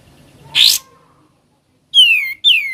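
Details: Sooty-headed bulbul in ngebren singing: a rough, noisy burst, a pause, then two bright whistles falling sharply in pitch, the second following closely after the first.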